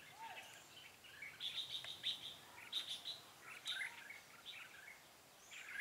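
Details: Red-whiskered bulbul decoy bird giving fighting song during trapping on 13 March 2017; short warbled phrases and bright chirps, some repeated notes in a quick run, with other chirping in the background.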